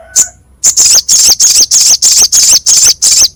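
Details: Crescent-chested babbler, a masteran recording for training songbirds, with a rough, sharp voice: one high chirp, then a run of eight harsh, buzzy high notes repeated about every third of a second.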